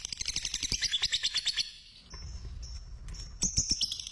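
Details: Lovebird, fighter type, used as a lure to set other lovebirds singing: a short burst of rapid shrill chattering, a pause, then scattered high squeaky notes and low thumps.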